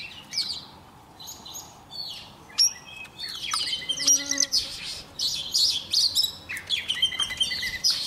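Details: Young Oriental magpie-robin in lively song as a wild bird draws close, a busy jumble of sharp chirps, clicks and high scratchy notes building into an almost continuous chatter.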